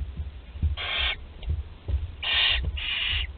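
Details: Young barn owls in a nest at Théding, France, 20 July 2020, including a 13-day-old chick swallowing prey whole: three coarse hissing screeches, the last two close together, over soft low thuds.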